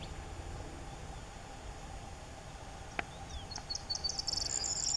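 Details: Corn bunting (Emberiza calandra), song.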